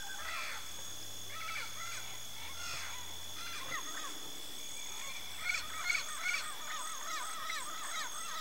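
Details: Yellow-faced parrot (Alipiopsitta xanthops) giving series of short, harmonic, chevron-shaped calls, rising then falling, repeated rapidly in bursts with louder notes near the end over a steady high hiss.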